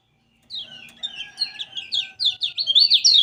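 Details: Lemon-bellied White-eye (kecial kuning) from Lombok, an eager singer used to coax others: thin high warbling that builds from soft twitters into louder, rapid sweeping notes toward the end.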